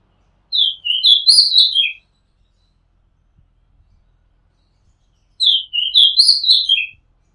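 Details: An Oriental magpie-robin, recorded from a house rooftop, sings two bright, varied whistled phrases, each about a second and a half long, with a gap of about three seconds between them.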